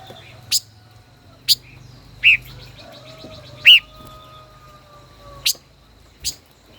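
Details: Song duel by a caged five-colored decoy bird of over one year: six spaced chirps, two fuller slurred whistles among them, plus a faint low hum and a thin steady high tone throughout.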